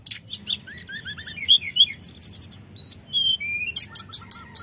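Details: Common iora singing a lure meant to provoke rivals: soft slurred whistles, a steady set of very high piping notes, then scattered whistles and a closing burst of loud trills.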